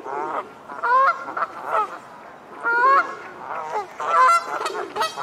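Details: Great crested grebe pairs in a territorial faceoff at the Serpentine island corner, the winning pair then congratulating each other; strident, rasping honks come in several loud bursts separated by softer grunting notes.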